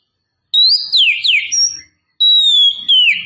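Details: Female Oriental magpie-robin luring a male, giving long, sweet whistles that climb, level off and then swoop down. Two such phrases come about a second and a half apart, with faint low background noise.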